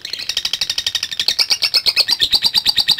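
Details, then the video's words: Lovebird trilling in the long ngekek style: a three-second run of rapid, buzzy high pulses that grows louder and slightly higher partway through. "Love Bird Langsung Ngekek | Latah Dan Ngekek Panjang"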